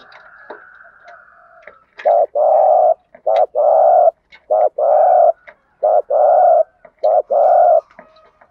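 A spotted dove coos low and mellow: five paired phrases, each a brief note then a longer hollow coo, repeated about every second, with a faint hum beforehand.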